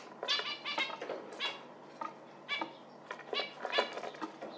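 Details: Nasal, honking zebra finch calls, uneven bursts of short stacked notes, often in pairs or triplets, with brief pauses between groups.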